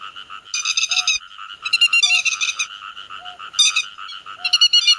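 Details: Grey-headed lapwing giving flock-gathering calls for net trapping: groups of loud, grating, rapid notes broken by quieter pauses, over a steady low rasp, with a soft short tone between bursts.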